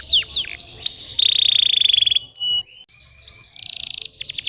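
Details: Canary song aimed at reluctant young singers: swooping whistles open into a fast rolling trill, a short level whistle, then another buzzy trill and quick repeated notes.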